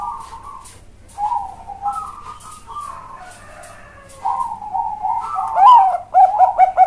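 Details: Bangkok-type zebra dove singing in the cowong style with a big voice, training recording: several long, quavering coo phrases separated by short pauses, closing with quick staccato coos.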